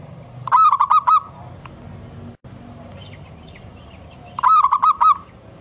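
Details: Wild local zebra dove in nature, singing a gacor (vigorous) song used as a lure: a bubbling, rolling cooing phrase of about five quick notes, repeated twice about four seconds apart, over low background rumble and faint other bird calls.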